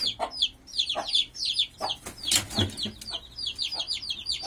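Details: Turkey poults peep shrilly and constantly as they are reunited with their mother hen, who gives a few lower clucks.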